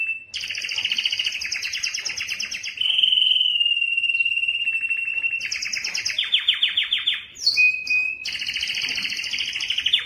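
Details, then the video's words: Belgian canary singing as a song model and to stimulate hens for breeding: continuous rolled trills with bright overtones, a smooth sustained whistled section, then fast rattles, a sharp upward note and more pulsing rolls. "تغريد كناري للتسميع و تحفيز الانات للتزاوج 24- Canário cantando para atrair fêmeas para a reprodução"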